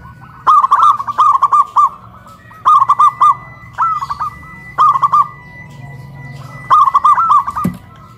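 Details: Caged local zebra doves in Kuningan, West Java, singing from a hoisted pole, a duet of big-voiced and crystal-voiced birds, cooing loudly: rapid clipped coo phrases of several beats, five bursts in eight seconds, over a faint steady hum.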